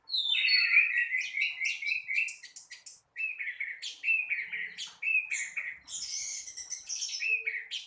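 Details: Sustained morning singing from an Orange-headed thrush. Rich warbled whistles and rapid chirps run almost continuously, with one brief break and a dense, bright passage toward the end.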